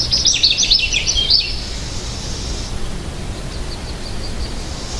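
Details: American goldfinch singing: a quick burst of bright, high twittering warbles and trills in the first second and a half, then fading, thin high notes over steady background hiss.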